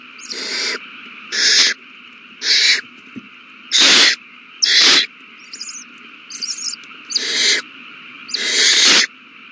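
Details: Feeding time for owl nestlings, 27 March 2020: a series of short harsh hisses, some faint and clipped, most loud and breathy, with a steady hum behind.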